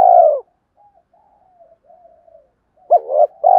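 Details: Spotted dove coo in the 'gáy gọi hai hậu' style used to stir up decoy doves; one low hollow note opens, quiet murmurs follow, then a short rising pair of coos and a longer drawn note close.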